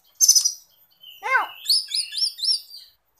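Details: Oriental magpie-robin (kacer) in full song, played as a lure or master for young or silent birds: a sharp high burst, a descending stack of harmonics, then a run of rapid repeated whistled upslurs.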